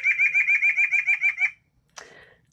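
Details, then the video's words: A white-breasted nuthatch, a bird of wild woods and feeders common in southern Wisconsin, sings a quick run of about ten nasal, laughing, tinny notes in a second and a half, then one short separate note. "Okay, so here's the song of the white-breasted nuthatch."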